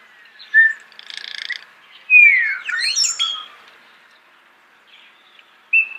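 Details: Starling, recorded close in a natural setting, gives a clear whistle, a soft buzzy rattle, then a loud downslurred whistle with squeaky twisted notes, and a final short whistle.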